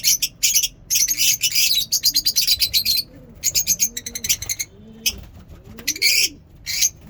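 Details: Flock of lovebirds at a mini zoo in the morning chattering in loud, rapid, shrill bursts, with soft low cooing of doves in the background.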